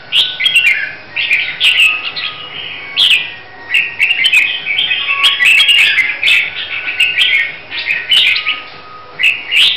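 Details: Hue red-whiskered bulbul in training for a song contest, singing a nearly continuous run of bright, rapid warbling phrases with chirpy slurred notes and brief pauses, clicks and small knocks audible in the background.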